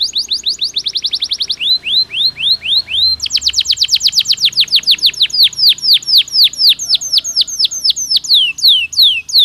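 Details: Canary singing to encourage breeding: quick rattling trill, a few slower downslurred whistles, then a long run of rapid descending sweeps repeated several times a second.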